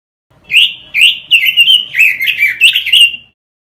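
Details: Robin singing on a masteran lure recording meant for training caged birds: one rich phrase of swooping, slurred whistles, each note bending up or down, ending in a drawn-out tone.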